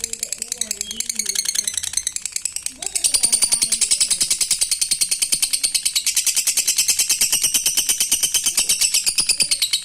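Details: Lovebird giving its 'ngetik' call to a rival, used to provoke quiet lovebirds into calling: a fast, steady stream of sharp high ticking notes, roughly three per second, growing louder after the first few seconds, with faint low sounds early on.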